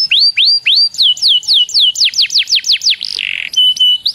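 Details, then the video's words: Lure song of a canary to spur other canaries to sing: clear whistled notes sweeping downward, repeated about four per second, then a short buzzy roll and a flat whistle. "PANCINGAN KENARI BIAR CEPAT GACOR"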